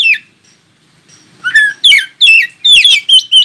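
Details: Oriental magpie-robin song aimed at making other magpie-robins join in: an opening falling whistle, a short quiet gap, then a dense run of loud, descending whistled notes.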